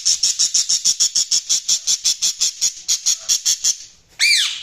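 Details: Budgerigar chirping: a fast, even run of about twenty sharp, high chirps, roughly five each second. After a short pause comes a single louder chirp that rises and then falls.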